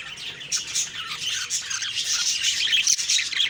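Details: Budgerigars in the morning, a dense, continuous chatter of high, scratchy chirps and warbles overlapping from several birds, with no pauses.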